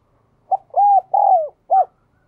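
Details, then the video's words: Spotted dove with the prized 'giọng đồng kim' voice, also called 'đồng chuông' and praised as ringing and resonant. A clear four-part coo: a short note, two long mellow sustained coos, then a final short note, on a quiet background. "cu gáy/ cu gáy giọng đồng kim"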